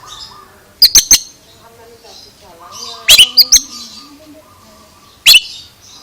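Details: Oriental magpie-robin giving unusual calls: three groups of sharp, ringing chirps spaced about two seconds apart, separated by faint warbling and steady low tones in the background.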